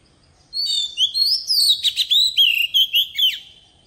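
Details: Wild-voice song of a decoy Oriental magpie-robin, used for teaching young birds: a high whistled opening, then lively fluty phrases broken into about eight rhythmic pulses of chirps and slurred notes, cleanly recorded.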